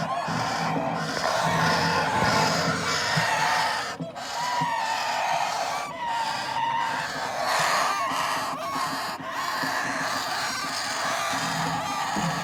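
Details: Hand-fed parrot chicks keep up a continuous grating, hissing begging chorus, with thin whistled notes that rise and dip woven through it and only one or two brief breaks.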